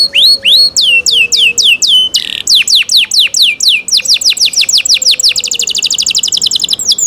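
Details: Energetic canary song: hooked falling whistles, a short harsh burst, more repeated downslurs, then a fast stuttering trill, with a faint low steady tone in the background.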